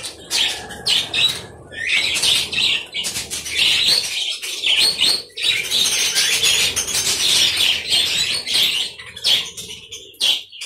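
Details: Caged budgerigar colony in an aviary: steady stream of warbled chirps from many birds, punctuated by sharp broadband rustles and short pauses.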